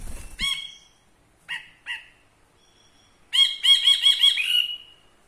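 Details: Caged ashy bulbul, kept as a song tutor, singing close by: two short ringing notes, a pause, then a quick run of five bright harmonic notes, the last one drawn out and falling. A brief rustle at the start.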